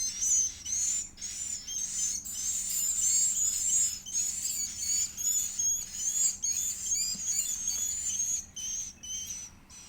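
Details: Young Edible-nest swiftlet (Aerodramus fuciphagus) being fed, uttering an almost continuous stream of very high, thin, quavering squeals with slight pulsing and a faint low hum beneath.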